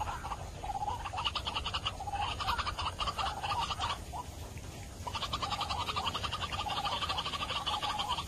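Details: White-breasted waterhen sound used as a hunting lure to attract the birds: fast, harsh, croaking notes in steady rhythmic runs, with a brief pause midway, over a faint background hiss.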